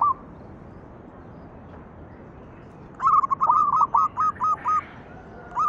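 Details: Zebra dove of local stock in lure song for other doves: after three quiet seconds, a long rolling series of about eight clipped coo notes runs steadily, then a new phrase begins at the close.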